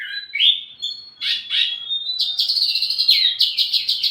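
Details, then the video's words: Wambi mini, sung as lure and teaching song for flowerpeckers: rising whistled slurs and scratchy notes, then a fast, busy chattering trill. "wambi mini burung pancingan sekaligus masteran buat tledekan anda"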